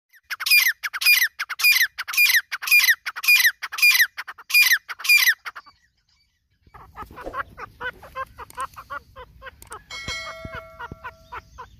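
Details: Partridge, called Irani teetar, giving a series of loud, harsh, grating notes repeated about twice a second for several seconds, then quieter rapid chattering with background noise and a brief tonal hum.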